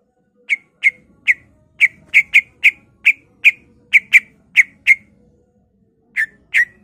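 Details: Greater green leafbird singing a mimicry-rich song that copies birds such as magpie-robin and canary. Short, sharp whistled pips repeat rapidly, several per second, then pause briefly before two more.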